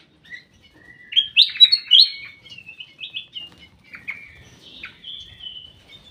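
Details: Ruby-throated bulbul in a private aviary sings loud, fluty, up-and-down whistles in quick succession, then trails off into softer, irregular chirps and a drawn-out thin note.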